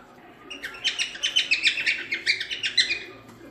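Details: Cockatiel in natural song, for training a young bird: a steady, fast series of short chirping notes, roughly a dozen in under three seconds, over a faint background hum.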